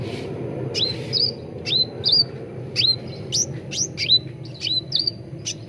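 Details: Cucak ranting bulbul lure song for training birds: a regular series of upswept whistles, each ending in a short level tone, about two per second, over steady background hum.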